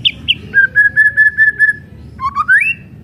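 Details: White-rumped shama kretekan song for firing up other shamas: two sharp high notes, a row of six clear level whistles, then a rising slurred whistle climbing upward.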